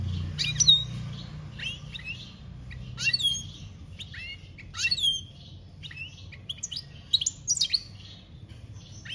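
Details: European goldfinch song, 2021, campero: separate bursts of sharp twittering chirps and quick downslurred notes, spaced a second or two apart, with a low rumble early on.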